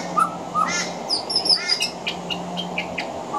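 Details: Pied butcherbird on a veranda mixing mimicry of other Australian birds into song: two short whistles, a raspy ridged call, a high fluttering squeal sequence, then spaced short chirps, beneath steady hiss and a low hum.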